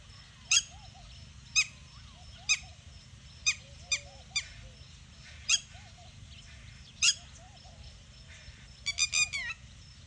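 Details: Red-wattled lapwing giving loud, sharp strident notes roughly once a second, ending in a rapid run of four or five calls; soft lower warbling phrases from other birds are heard in the background.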